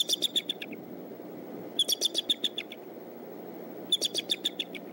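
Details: Bald eagle at the Decorah nest, the father dropping in at 6:30 a.m. at sunrise on 22 March 2014; three bursts of high, thin, rapid piping chirps, each a run of about eight notes, over steady low background rumble.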